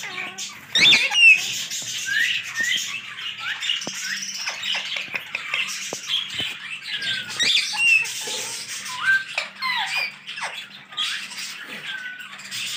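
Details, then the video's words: Green parrots chattering busily, with a dense stream of squawks, screeches and short chirps overlapping throughout and no clear pauses. "Green parrots talking mitho mitho"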